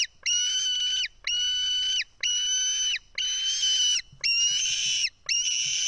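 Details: Begging screams of a White-tailed eagle chick on an Estonian nest, 4 July 2018, as a parent brings and feeds fish; six sustained, piercing whistled calls, each under a second, repeated steadily roughly once a second.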